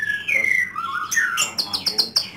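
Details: Home-kept white-rumped shama with smooth sliding whistles followed by a quick series of sharp, buzzy, evenly repeated notes.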